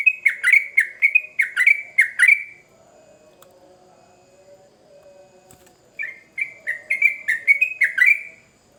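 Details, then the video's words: Sooty-headed bulbul in vigorous full song, used as a lure to prompt other birds to respond: two bursts of rapid, bright chattering notes, each lasting over two seconds and separated by a quiet pause with a faint low hum. "Trucukan Gacor Ngamuk Pancingan Cepat di Respon Burung Trucuk Bahan"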